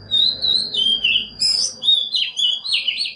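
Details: Oriental magpie-robin decoy song played to provoke other birds into singing and to train young birds; continuous varied whistles and trills in quick rhythmic phrases over a low background hum.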